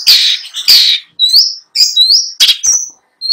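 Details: Long-tailed shrike, a caged contest bird, delivering mimicry-filled song: harsh rasping bursts alternate with clear upward-sweeping whistles, phrases spaced roughly half a second apart.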